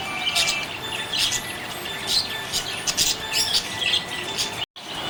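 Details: Happy budgerigar chatter, squawky high chirps and warbles roughly once a second, overlapping birds, with a brief cut near the end.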